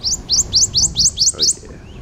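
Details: A Prothonotary Warbler singing in a tree at a park gives a quick run of about seven bright, ringing, upslurred notes, evenly spaced about five per second, over a faint low background hum.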